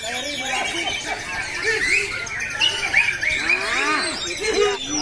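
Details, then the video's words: A white-rumped shama pours out a dense, nonstop song of varied whistles, slurred rising and falling notes, and rapid chattering phrases with almost no pauses. "MURAI BATU KONSLET kerja hampir tanpa jeda"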